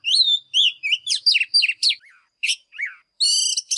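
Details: Morning song of an Oriental magpie-robin, fired up and displaying: loud varied whistles and quick downslurred chirps tumble together, with a few softer falling notes before a final burst of rich, buzzy, high whistling.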